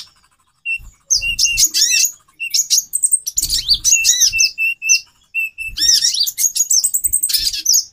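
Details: Calls of a female konin (brown-throated sunbird), used as therapy to raise a male's mating drive: thin, high twittering with repeated short downslurred whistles and fast chirp runs in spurts, plus soft low thumps.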